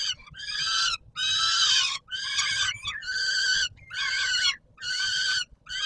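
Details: On 17 July 2022, at feeding time at the Palace of Culture and Science in Warsaw, Poland, a peregrine falcon gives a rhythmic series of hoarse, harmonic wails, each about a second long with short gaps.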